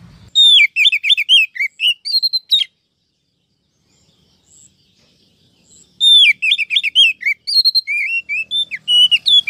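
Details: Female Oriental magpie-robin calling to stimulate males and lure wild birds, from a 2023 trapping file: two bursts of rapid, varied whistled and chirping notes, bright and high, separated by several seconds of near silence.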